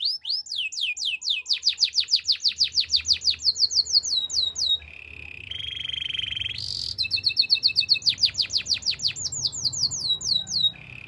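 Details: Canary singing a long varied song: many quick descending whistled notes in series, a low buzzy churr, a sharp high note, then more rapid whistled trills ending in a low buzz, with faint background hum.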